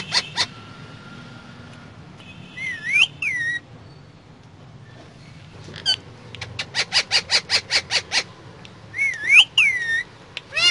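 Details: Pet parrot riding inside a car, giving loud harmonic whistles with bending, looping pitch, a quick run of about nine sharp repeated notes, then more curving whistles. A low vehicle rumble continues underneath.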